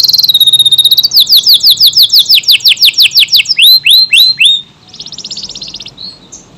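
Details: Canary, AF type, singing a long unbroken song: a very rapid high trill, then loud repeated downslurred whistles, a few single sweeping notes, and a softer buzzy rattle at the close.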